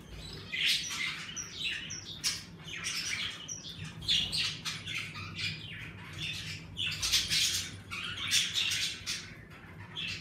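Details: A flock of pet budgerigars in an indoor bird room keeps up continuous chattering: rapid buzzy chirps, squeaks and squawks overlapping throughout, over a low steady room hum.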